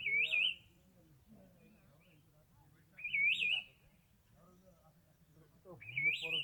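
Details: Bird singing in the Himalaya: short warbled phrase with a wavering, rising-and-falling whistle, repeated about every three seconds with quiet between, faint low rumble beneath.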